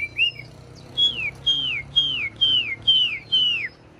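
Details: A large, tame Chinese hwamei kept in a cage sings seven clear whistles. Each one slides downward and is spaced roughly half a second apart.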